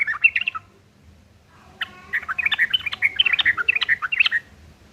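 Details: Harsh, chattering fighting song of a yellow-vented bulbul, played to draw answers from other birds: a brief burst of notes, a short gap, then a dense, hurried jumble of scratchy warbled notes.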